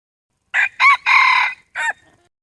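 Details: Crow of a wild red junglefowl rooster, slightly quieter: short raspy note, a second rising note, a held hoarse middle note, then a short closing syllable.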